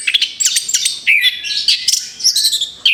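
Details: Song of an orange-headed thrush recently finished moulting: dense, fast run of high chirps, whistles and buzzy notes, with brief pauses between bursts.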